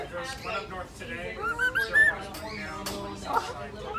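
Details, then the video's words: Cockatiels whistle the learned Addams Family theme tune in short, clear, mid-pitched notes that rise and fall, with faint voices and background murmur underneath. "Cocktails Singing Addams Family Theme Song!"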